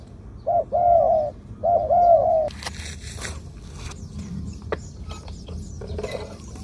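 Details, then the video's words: Spotted dove suitable for keeping as a ground decoy bird, medium-pitched voice in the two-'kuk' 'khu-ang' style: two hollow two-part coos, then rustling, clicks and faint background noise. "2 กุก คูอ่าง คารม เสียงกลาง ตัวนี้น่าเก็บทำนกต่อครับ นกเขาใหญ่ต่อดิน เสียงนกเขาใหญ่"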